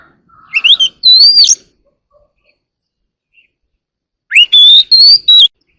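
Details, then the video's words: Oriental magpie-robin singing early in the morning, giving short clear whistled phrases with upslurred notes, a pause, then a second burst of sweet rising and falling whistles. "warbler sings early in the morning || Chòe than hót đấu chim rừng quá sung"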